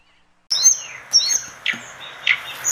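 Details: Orange-spotted bulbul song, used as tutor material for training other cage birds; after half a second of silence, sharp high chirps and downslurred whistled notes come in short bursts, with a brief buzzy note between phrases.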